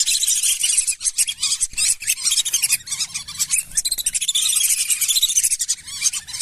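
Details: Lesser whistling duck lure sound for calling wild birds in rice fields, swamps and wetlands: a dense, unbroken chorus of high, thin whistles overlapping one another, with short rising and falling notes and no other sounds standing out.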